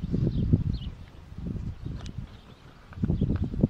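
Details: White stork producing two short bouts of fast, wooden clattering pulses separated by a brief pause, with soft high bird twitters behind.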